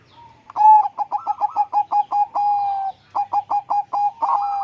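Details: A captive zebra dove, recorded at close range in its cage once it had calmed down, sings a fast run of soft, staccato cooing notes, about five per second, then a short pause and another rolling burst ending in a drawn-out coo.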